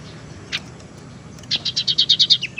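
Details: Tailorbird lure sound for attracting birds and coaxing silent ones into song: one sharp note, a pause, then a rapid run of about nine even, bright, high chips.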